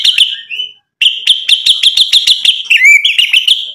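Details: Constantly singing white-rumped shama used as bait to make rivals reply: quick whistled notes and a sliding whistle, then a steady series of about twelve sharp, evenly spaced notes and a final warbled flourish.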